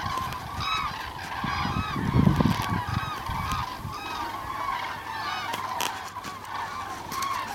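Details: A migrating flock of common cranes passing south in November 2014, many loud rolling trumpeting calls overlapping, with a brief gust of low wind noise near the middle.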